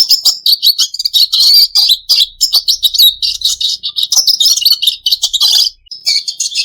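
A Red Siskin sings a fast, continuous stream of high, buzzy twitters and chirps, run together with hardly a pause.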